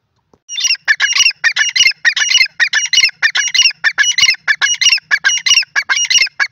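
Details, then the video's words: Dakhni teetar, the grey francolin, male and female voices: after a brief quiet start, a loud, steady stream of harsh, squawking call notes, rapid and fairly uneven in spacing, lasting several seconds. "teetar ki voice male female teetar ki awaaz dakhni teetar ki awaz"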